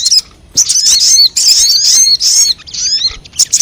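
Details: Sogon, or crimson sunbird, lure sound for attracting wild birds: short bursts of shrill, tumbling high twitters with thin upslurred whistles, broken by brief pauses.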